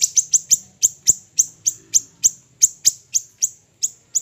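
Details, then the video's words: Small siri-siri bird, a recording used for training songbirds, giving bright, very high, clipped chirps that slide downward, delivered evenly about three times a second against faint low background noise. "burung siri siri kecil"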